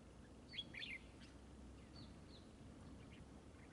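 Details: Fighting-decoy trapping of red-whiskered bulbul: a brisk cluster of sharp, chirpy whistled notes early on, then a few fainter scattered notes against a constant low rumble.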